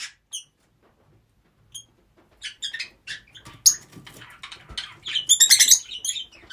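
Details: Rosy-faced lovebirds, several kept together indoors; a few thin, sharp chirps at first, then rising into a dense, noisy chatter of overlapping shrill squeaks and squawks.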